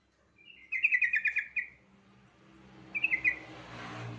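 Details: Yellow-vented bulbul lure song used to spur other bulbuls into singing. One loud, rapid, bubbly chattering phrase of about a second, followed by a shorter softer phrase, then a rising hiss of background noise.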